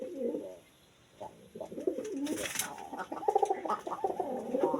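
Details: A Jalali-breed domestic pigeon, kept by its owner and noted for its beautiful call, gives soft, throaty coos in quick repeated bursts.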